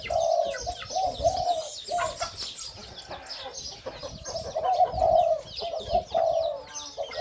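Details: Caged Spotted Dove of the hybrid 'sai din' line crowing; its voice is said to match its father's. Low, hoarse coos are delivered in short grouped phrases, and many high chirps from other birds and clicking sounds come through behind them.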